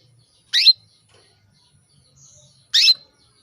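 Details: Female canary calling a male to stir him into breeding mood; two loud, brief chirped notes about two seconds apart, separated by near silence.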